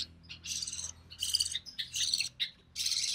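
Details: Recessive pied budgie chick, sole survivor of a clutch of three, calling while being fed; softer, hissing rasps in uneven bursts over a low background hum.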